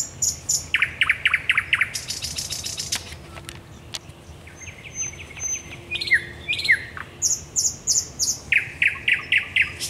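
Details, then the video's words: Thrush nightingale singing at night at the Raszyn Ponds, 10 May 2021: loud varied phrases of rapid repeated clicks and chooks, a dry rattling burst, high pure whistles and fast trills, with pauses between strophes. "Nocny śpiew słowika rdzawego"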